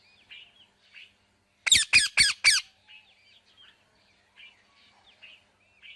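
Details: Parrot uttering four loud raspy squawks in a rapid row, with faint chattering and soft whistles before and after.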